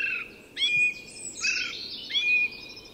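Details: Dawn song of a song thrush, Tyresta National Park, Sweden: three similar bright phrases in a row, each a quick whistled note with scratchy overtones, about half a second apart.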